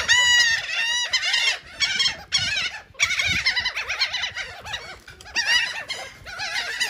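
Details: Seagulls at Atlantic City, New Jersey, eating cake: clear bursts of strident, laughing mewing calls from several birds, broken by short pauses.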